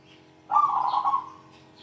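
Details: Zebra dove's big 'kung' coo, meant to call out rivals. One loud, vibrating trilled phrase of under a second that fades into a soft tail.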